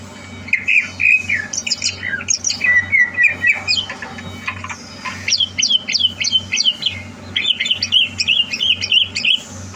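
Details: Competition-trained caged greater green leafbird, recorded 30 November 2022; lively varied song of sharp chips, buzzy phrases and rapid repeated whistled notes, around three per second, continuing throughout against a faint rhythmic low hum.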